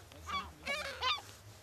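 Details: Gulls fed on Brean Sands beach, Somerset, England, in April: two or three quick harsh squawking cries in fast succession, bright and strident, over a faint low hum.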